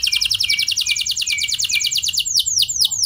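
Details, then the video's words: High rolling trill from a canary, played as a lure so other canaries join in, runs fast and even for two seconds before slowing into a few separate, sharply down-slurred notes. "Pancingan Ampuh Bikin Kenari Lain Bakal Ikut Gacor Do0r Dengan Pancingan Ini! Langsung Nyaut Ngeroll"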